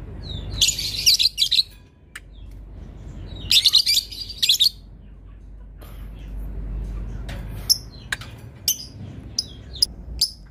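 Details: Lovebird used as a master tutor bird, producing long chatter: two dense bursts of shrill scratchy notes, each about a second long. Scattered high clicks follow, with a steady low rumble behind.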